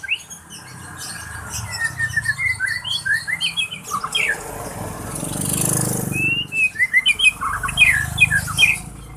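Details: Songbird in heat trying out its 'trek' song: steady strings of sharp, fast chirps, interrupted midway by a brief rushing noise, then resuming with louder clustered chirps.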